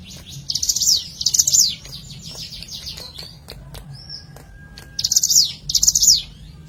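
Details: Natural ciblek gunung prinia sound used to lure birds: high, rapid, scratchy chirping bursts given in pairs, a long gap with a soft whistled note between them, then another pair; quiet low hum underneath.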